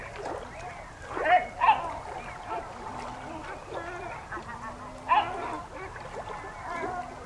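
Great black-backed gull giving deep, hoarse, barking calls in a few loud bursts, with softer overlapping calls and a low background hum.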